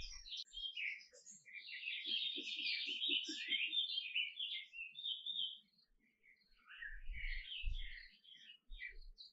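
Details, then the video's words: Canary song of rapid trills and warbles, rolling and chattering with quick pitch shifts, continuous for about six seconds, then softer twittering phrases; light knocking and thumping noises in the background. "Canary Singing: The Most Beautiful Sounds of Nature"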